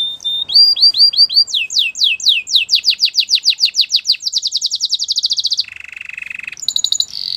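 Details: Belgian canary pouring out a song of repeated swooping whistles that speed up into a rapid rattle, then a low buzzy roll and a few high sharp notes.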